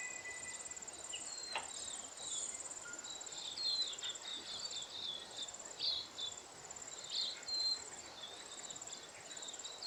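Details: Lesser redpolls, mostly females, feeding on alder cone seeds in winter in the Maungakotukutuku Valley, Kapiti, New Zealand. Scattered short high chirps and twitters are heard over a steady shrill insect chorus.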